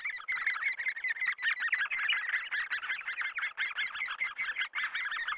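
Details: Great spotted woodpecker at breeding time, raising young: an intense, steady chorus of rapid harsh squeaking notes, overlapping and continuous for over five seconds with barely any gaps.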